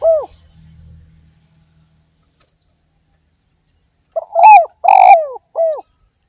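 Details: Spotted dove cooing in a lure recording: one falling coo at the start, a quiet gap, then a phrase of short notes, two strong descending coos and a closing coo.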